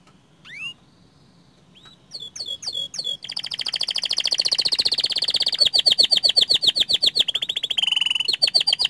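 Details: Canary song opening with a few lone rising whistles and chips, then building into a long, loud, rapid trill of high notes that shifts in pitch and runs without pause to the end.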